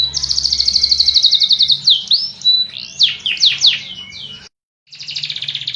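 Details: A canary pours out a dense high trill, then twisting whistled slurs and loud sweeping notes, a brief gap, and another rolling trill.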